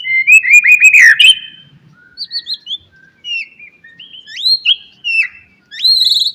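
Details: A white-rumped shama sings in the morning to coax other shamas into song. A loud run of rolling slurred notes is followed by scattered, thinner whistled phrases and a final bright trill.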